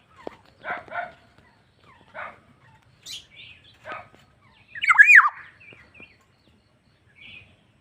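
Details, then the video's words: ['Black-naped oriole calling vigorously (gacor): spaced, short nasal notes, a few thin high chips, then a loud squeaky, wavering slurred call. Softer notes trail off afterwards.'] "BURUNG PODANG GACOR"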